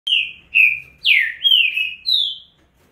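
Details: Green-winged saltator (trinca-ferro) male singing the fast 'estouro' style song: five loud, rich whistled notes, each slurring downward, sung in quick succession over under three seconds.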